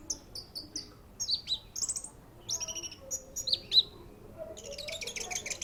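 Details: Orange-headed thrush at the Matroji ring delivering a varied, high-pitched song of quick chirps, short slurred whistles and clipped trills, ending in a dense burst of rapid notes.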